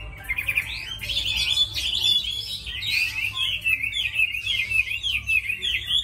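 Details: Hwamei, a tame bird described as fighting well and singing well, building from mixed whistles into a steady chain of quick, zigzagging notes repeated at an even pace.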